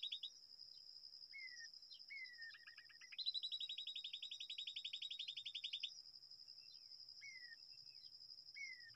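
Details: Babblers calling at their nest in a date palm. Scattered downslurred notes lead into one long burst of fast, grating chatter lasting about three seconds, with constant high insect trilling throughout.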